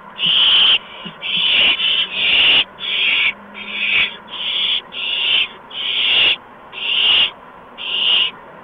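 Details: Owlets at a nest on the evening of March 13, 2015, around 8 PM, as adults bring mice and a gopher; harsh hissing bursts, about ten in a row, roughly one per second, each around half a second long.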